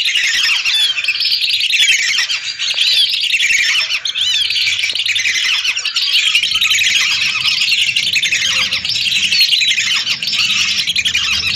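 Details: Hundreds of lesser whistling ducks calling together, recorded for use as a lure: a dense, unbroken chorus of clear, high whistles overlapping throughout, loud and steady with no pauses.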